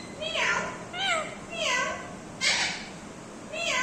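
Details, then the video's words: An Indian ringneck parrot talks, saying "mithu beta" in short, nasal, speech-like phrases, about five bursts with bending pitch and pauses of roughly half a second between. "parrots talking mithu beta"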